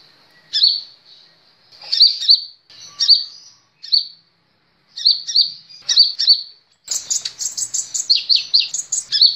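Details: Kolibri Ninja sunbird, training audio for caged birds: spaced, sharp downslurred chirps every second or so, then a sudden fast stream of high trilled notes.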